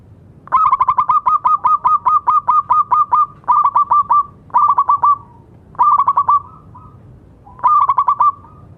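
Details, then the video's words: Zebra dove, local bird with strong voice, used to get non-singing doves going: a long run of rapid pulsed coos followed by four shorter stuttering phrases with trailing hums. "Perkutut lokal gacor suara bagus untuk terapi yang macet bunyi."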